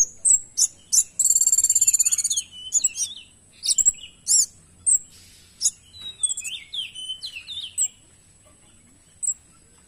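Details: Orange-headed thrush in full, active song laced with imitations: loud sharp chips, a fast buzzy rattling trill lasting about a second, then varied whistled notes and a burst of descending slurred warbles, with a faint steady high tone throughout.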